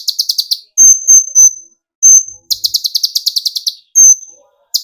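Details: Sunbird (kolibri ninja) singing as a lure for other birds: rapid high staccato trills alternate with longer clear whistled notes, repeated in short phrases.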